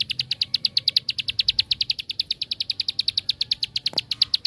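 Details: Bar-winged prinia song used to stir other prinias: an unbroken, machine-like trill of high, clipped notes repeated roughly eight times per second throughout, with one faint click near the end.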